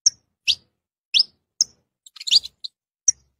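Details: Series of sharp high chirps from a saffron finch, roughly one every half second, broken by a short tumbling cluster of quick notes before a final single chirp.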